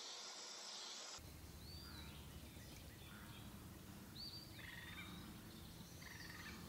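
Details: Eastern wood pewee singing: two thin slurred whistles near the high middle of the range, each rising briefly then sliding down, about two seconds apart, over steady low rumbling background noise.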